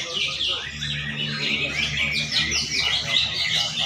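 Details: Contest greater green leafbird in Banten, 11 February 2024, delivering a busy stream of sharp, sliding whistles and trills, with other caged singers and a low hum of people nearby.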